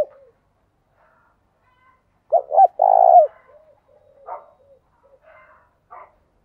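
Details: Spotted dove used as a decoy to set other doves cooing. One loud phrase of two short notes and a long purring coo, followed by soft scattered low coos and faint chirps.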